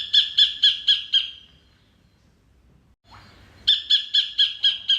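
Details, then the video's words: Two bursts of about six loud, grating, strongly repeated notes from a Sacred kingfisher, roughly four per second, with a noisy rushing sound in the gap between them. "Sounds of Todiramphus sanctus Sacred Kingfisher"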